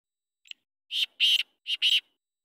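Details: A free-roaming Black francolin gives a brief click followed by four harsh, grating notes in two quick pairs, high-pitched and rasping; nothing else audible.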